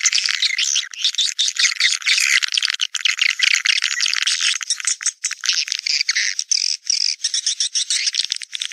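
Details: Naga Merah swiftlet call for drawing swiftlets to their nests: a continuous, dense, rattling twitter of high, shrill chirps, steady for the whole stretch, with short pulsing breaks.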